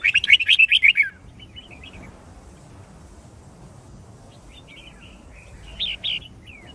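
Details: White-cheeked red-whiskered bulbul singing for song training: a short loud burst of rapid chirps opens, followed by long stretches of faint, scattered whistled notes over low background hiss.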